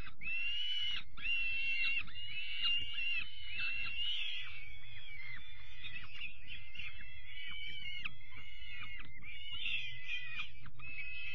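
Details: Young peregrine falcon chicks getting their evening meal on 5 May 2021, giving harsh, drawn-out screaming wails, call after call with brief breaks, over soft low thumps and rustling from the feeding.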